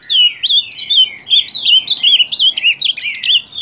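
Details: Ultramarine grosbeak (Cyanoloxia brissonii), song.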